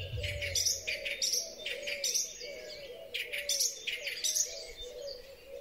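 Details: Song thrush (Turdus philomelos) spring song: loud, bright, high phrases, several repeated in quick succession, over a steady low cooing hum in the background.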